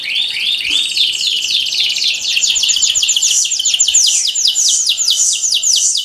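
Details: Five canaries singing together in a training song: dense, rapid tours of downward-sweeping whistled notes and fast rolling trills, overlapping voices layered high and continuous throughout.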